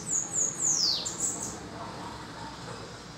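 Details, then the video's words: A bananaquit in a singing duel gives one high, sizzling trilled phrase that drops steeply at its close, followed by a brief high flourish, then quiet background noise. "SIBITE TREME TERRA VS RARIDADE ( DUELO DE CANTORIA)"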